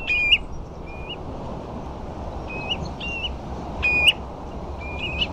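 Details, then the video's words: Ringed plovers feeding with a few dunlin on the sandflats at Ferrybridge, Portland: short, soft whistled notes that rise at the end, given in loose scattered bursts over a steady low rumble of wind and surf. "Ringed Plovers"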